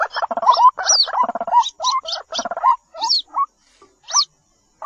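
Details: White-breasted waterhen baby: dense buzzy gurgling runs, then sparse short rising notes paired with high squeaky slurs, fading into silence toward the end.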